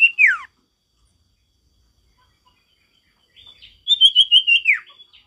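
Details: Wild male ashy tailorbird in strong forest song: one loud, falling whistled slur, a long silence, then a quick string of about six sharp chirps that ends in a downward sweep.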